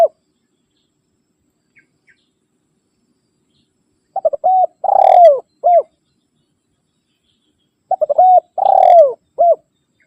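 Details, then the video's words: Spotted dove calling rivals, a call used to lure wild doves and to train caged birds at home: two phrases about four seconds apart, each a few quick soft notes, a long drawn descending coo, then a short final coo. "Suara Burung Tekukur Memanggil Lawan"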